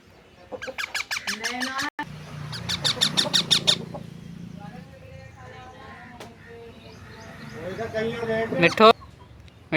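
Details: Household parrot uttering two fast bursts of harsh repeated squawks, with a person's voice humming underneath and speaking afterward, ending in a sharp loud screech.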